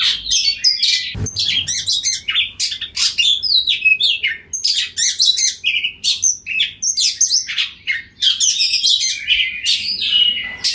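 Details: Oriental magpie-robin (kacer) calling to another of its kind, which answers, in 'ngeplong' song; dense stream of sharp chips, buzzy bursts and short whistles continuing throughout with barely a pause.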